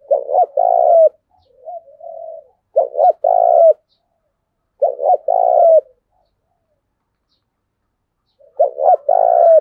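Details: Repeated spotted dove song for training decoy doves: four loud phrases about every three seconds. Each is a sharp double note and a sustained burry coo, with a soft coo after the first.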